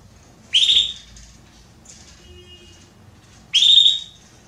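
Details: Belgian canary hen soliciting mating with two loud, high calls about three seconds apart. Each rises quickly and then holds steady. A fainter, softer note comes between them.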